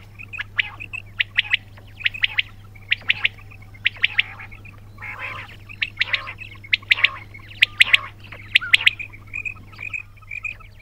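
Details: Several quails giving bursts of short, sharp, high chirps and squeaky notes in quick clusters, irregularly spaced about once a second, over a constant low electrical hum.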